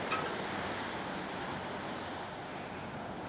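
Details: Constant rushing surf and wind noise on a California coast in January, with no animal calls audible.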